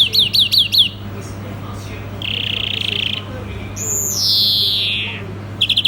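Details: European greenfinch song opening with rapid repeated downslurred notes, followed by a flat buzzy trill, a drawn-out descending wheeze and a final short trill over a constant low hum.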